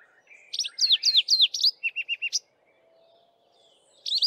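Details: From a bushtop in the dawn chorus, a male Streaky-headed Seedeater gives a canary-style phrase of fast descending whistled slurs and a series of lower clipped notes, then silence before a new phrase begins.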